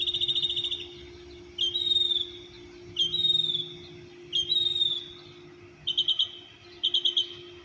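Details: Birds singing at 6:30 am at an apartment complex in Orlando, Florida: high, clear whistled phrases, some trilled, repeated about every one and a half seconds over a steady low hum.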